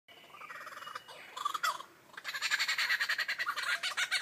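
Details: Lyrebird mimicking in a beatbox style: harsh, rapid, rhythmic bursts of noisy squawks and buzzy clicks with a few tonal notes, pausing briefly midway before a dense, evenly pulsing run.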